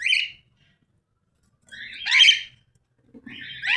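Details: Cockatiel giving three harsh, squawky chirps with gaps of over a second between them; the first is short and bright, the later two louder and rougher. Faint low rumble underneath.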